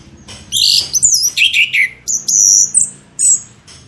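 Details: Orange-headed thrush singing as a lure for other birds: a loud run of varied whistled and slurred notes, some very high and sweeping, in bursts with short gaps, over faint low hum.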